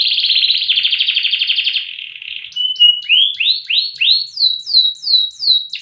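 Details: Loper canary valued for song duration and volume; a rapid rolling trill gives way to a short clear whistle, then a string of upward-swooping notes repeated roughly every half second.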